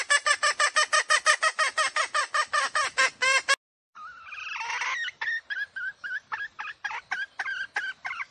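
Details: Decoy hen calling to lure roosters: a fast series of rhythmic harsh cackles, a brief silence, then a looser run of clucks and cackling notes.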